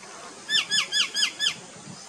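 A young bronze-winged jacana gives five sharp, squeaky, down-slurred notes in quick succession, about four per second, against a quiet background.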